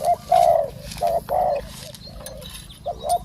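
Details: Caged decoy and wild spotted dove exchange in a live luring session: a few drawn-out hoarse coos with short notes between, over a low hum.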